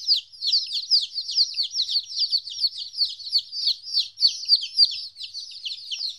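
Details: A flock of two-week-old chickens, away from their mother for the first time, gives loud, piercing cheeps in an uneven, steady stream, roughly one or two each second.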